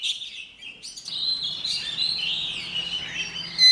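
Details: Female white-rumped shama song meant to set off singing males: a dense, warbling, somewhat muffled stream of high notes with a faint background hum and a sharp note at the end.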